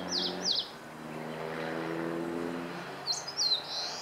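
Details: Eastern crowned warbler singing on 26 April 2014: two high slurred notes, then a later phrase of quick descending notes ending in a buzzy, drawn-out trill, over a steady low engine hum.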